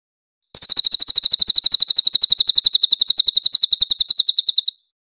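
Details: Clear-voiced cililin song kept as master material for training magpie-robins, a fast and even string of bright, high chipping notes lasting about four seconds, with no other sounds.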